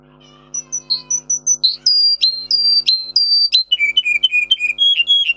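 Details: Russian singer canary singing: soft high notes give way to loud clear whistled tours, falling and level phrases repeated in quick series at shifting pitches, faint low hum behind.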